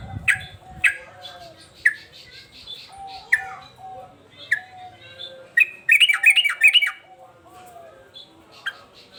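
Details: Male sooty-headed bulbul, agitated and singing constantly in the uplik-uplik sambung garuda manner: a string of separate sharp, down-slurred chips about one to two seconds apart, then a quick bubbling trill of fluty notes near the middle, over a steady low background tone.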